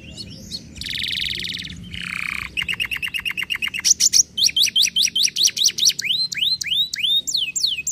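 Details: Canary song with varied phrases: a buzzy rasping trill, a lower buzzy note, then rapid repeated chips and a series of bright rising-and-falling whistled notes, each phrase a quick run of identical notes.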